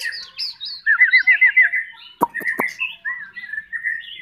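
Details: Spanish canary singing a varied song of rolling trills and warbled phrases, with repeated looping notes and sharp chirps, plus a few loud clicks partway through.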